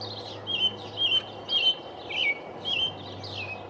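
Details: Singing from the top of a pine on 5/6/19, a male American robin repeats short, clear whistled phrases about every half second. Each phrase is a bright slurred note, with a steady low hum underneath.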